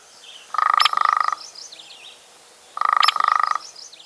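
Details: A hairy woodpecker in spring around Peterborough, Ontario, drums two rapid, even, machine-gun-fast rolls of about a second each, separated by a short pause, with faint bird chatter behind.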